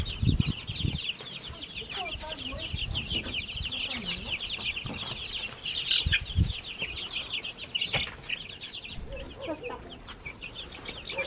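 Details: Backyard baby chickens chirping continuously in a crowded high-pitched chorus, with a few lower, drawn-out cheeps, occasional knocks and bumps, and some rustling.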